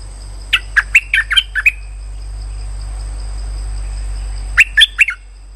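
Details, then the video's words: Trapping lure call of a streak-eared bulbul. Two clusters of rapid, chirpy notes: about seven in the first and four or five in the second, separated by roughly three seconds of low hum. "Suara pikat merbah lekir"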